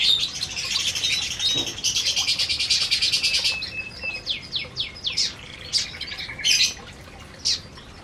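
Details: Canaries feeding together in an aviary give a buzzy, fast-pulsed trill, then scattered sharp chirps and short squeaky notes from several birds, with light rustling between calls.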